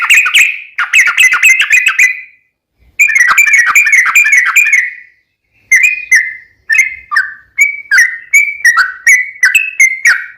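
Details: Long rapid song of a yellow-vented bulbul, used as a lure for other bulbuls: two dense bursts of fast chattering notes separated by silences, then a slower run of clear whistled phrases.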